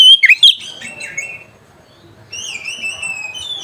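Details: Oriental magpie-robin singing in lively 'gacor ngeplong' style to call a rival: a short burst of loud, twisting whistled notes, then a quiet pause and softer drawn-out high whistles.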